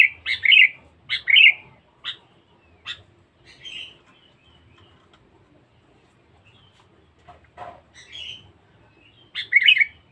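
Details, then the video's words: A lively, aggressive sooty-headed bulbul used as a trapping lure gives short, bubbly, liquid phrases of a few warbled notes, repeated every second or two with brief pauses between bursts. "pikat kutilang bagus"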